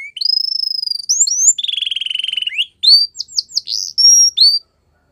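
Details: A canary sings a long level whistle, a low buzzy roll, then a string of varied short slurred whistles before falling silent.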